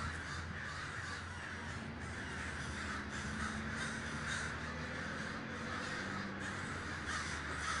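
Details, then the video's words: Crows at a large communal gathering in Davis, California, filling the air with a constant wash of overlapping raspy caws; a low hum runs beneath the flock. "The Great Gathering of Crows"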